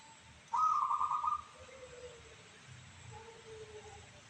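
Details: Local zebra dove, noted for a crystal-clear voice, delivers one strong purring trill of quick beaded notes, almost a second long, followed by faint, lower, drawn-out tones in a quiet background.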